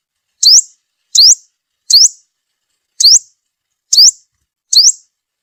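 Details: Lure call of a sunbird, used to draw in wild birds for trapping: six clean, high, upward-sweeping notes spaced slightly under a second apart in a quiet setting.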